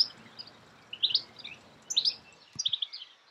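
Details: Short tinkling notes in three clusters about a second apart from a European goldfinch, recorded in May 2016 in Escherange, France, with a faint low thud.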